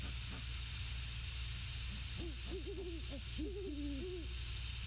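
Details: Hooting between a mated pair of great horned owls at the nest; faint hoots at first, then a dense, bouncing sequence of low hoots in the second half, with a steady background drone.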